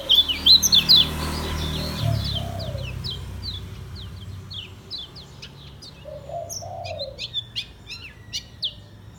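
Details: Caged Lemon-bellied White-eye from Lombok: a loud burst of high twittering notes at the start, then sparse thin chips and short trills over quiet hum, with low mellow notes from another bird.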